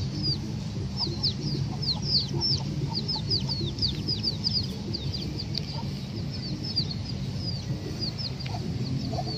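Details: Chickens ranging free in a park give a steady stream of shrill, falling peeps, many in quick succession, with a constant low background rumble.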